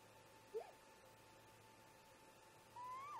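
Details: Great grey owl parent at a nest site around 04:25 MDT before dawn, 14 July 2017, calling to its mate: a short low note, then a longer whistled call that rises and drops away, over a faint steady hum.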